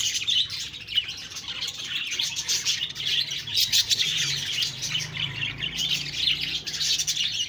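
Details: Budgerigars keep up an unbroken, high-pitched chatter of buzzy chirps, clicks and warbled notes, several birds overlapping, over a faint low hum.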